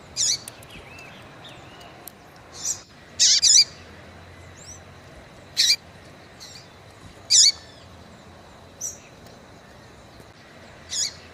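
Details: Female rufous-collared seedeater calling to stimulate a male: short harsh high chirps given singly or in pairs, irregularly about every one to two seconds, with faint thin whistles from other birds behind.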